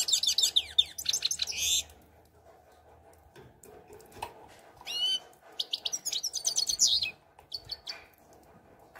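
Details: European goldfinch singing: bursts of rapid, tinkling twitters and buzzy trills, each lasting about two seconds, separated by quiet pauses and a few single chirps.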